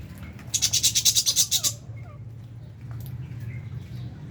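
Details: Aviary lovebirds kept with budgies while feeding give a rapid run of about ten shrill, piercing chattering notes lasting just over a second, followed by faint softer chirps over steady low hum.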